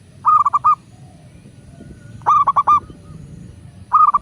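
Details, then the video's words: Local zebra dove, master recording for training doves to call: three clear phrases of rapid, rolling coo notes, each of about four notes, repeated roughly every two seconds over a quiet background. "Perkutut lokal gacor pancingan agar burung perkutut cepat GACOR dan BUNYI"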